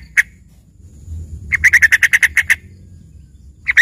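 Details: Yellow-vented bulbul with learned filler song compared to a singing green leafbird: one chip, a pause, then a fast rattling run of about ten bright notes, and another burst beginning at the end.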